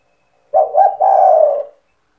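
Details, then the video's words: Spotted dove giving cetretan song, used to rouse other doves into calling: a single low mellow phrase with two brief coos leading into a sustained, gently falling final coo, with no other sounds. "Suara burung tekukur gacor cetretan bikin deruk tekukur derkuku balam lain emosi ikut bunyi"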